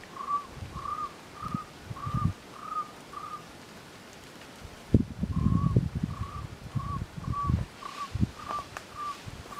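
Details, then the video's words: Cuban trogon of the nominate subspecies singing in Alejandro de Humboldt National Park, Cuba, on 24 February 2017; a long series of short, mellow, slightly rising whistled notes near one pitch, about two per second, with low thumps and handling noise. "Cuban Trogon, Priotelus t. temnurus, singing"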